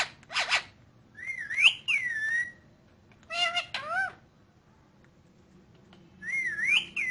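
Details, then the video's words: Pet ringneck parrot talking in Urdu/Hindi: a noisy burst, a looping whistled phrase that climbs then falls, a cluster of raspy speech-like syllables, then the same looping whistled phrase again after a pause. "The Ringneck Parrot Talking In Urdu/Hindi"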